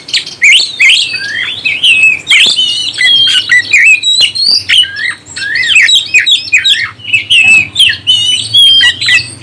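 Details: Oriental magpie-robin, kept as a songbird, singing a loud, rich stream of whistled and slurred phrases that rise and fall, with harsh squawky notes mixed in; played to stir up other birds, over a faint low hum.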